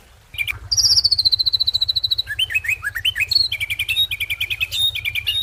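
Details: Ashy drongo song: a long run of rapid, evenly paced high chips gives way to varied slurred whistles and quick repeated two-note phrases, over a steady low pulsing hum.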